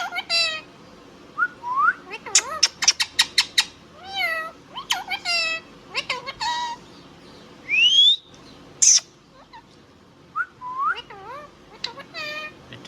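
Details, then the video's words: Talking pet Indian ringneck parrot: a stream of sharp high clicks, warbled mimicked words and one bright rising whistle near the end of the phrase sequence. "Ringneck Parrot Talking Sound video | Indian Ringneck parrot natural sound"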